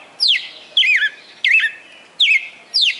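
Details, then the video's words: Red-cowled cardinal, a kept bird held for about four months in Fortaleza, Ceará, Brazil, praised for a perfect song of over twenty notes; five loud, clear whistled notes sweep down and loop, spaced about 0.6 seconds apart, in quiet surroundings. "Galo de Campina "o canto perfeito""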